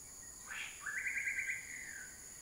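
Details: Common flameback, filmed from a hide in Huai Kha Khaeng Wildlife Sanctuary, Thailand, gives a short note and then a fast, dry, even-pitched rattling trill lasting under a second over a steady high insect hum.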